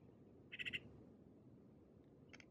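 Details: A Maghreb magpie at Oued Souss, Morocco, in November 2018 gives a quick, harsh chatter of four rapid notes, then a fainter answering burst about two seconds later, over a low background rumble.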